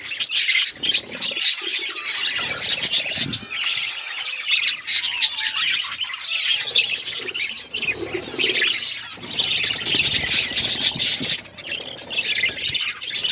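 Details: Budgerigars chirping: a lively, overlapping chatter of high chirps, warbles and harsh squawks from several birds, loud bursts alternating with slightly quieter moments, plus some lower rustling.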